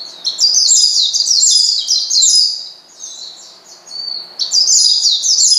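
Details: Oriental white-eye calling to agitate a rival: two long bursts of dense, high-pitched, slurred twittering, separated by a quieter stretch with a single thin whistle.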